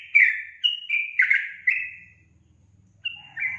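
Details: Sooty-headed bulbul giving rich, gurgling slurred whistles in a short burst, then a gap with a faint low hum, before two more bright notes.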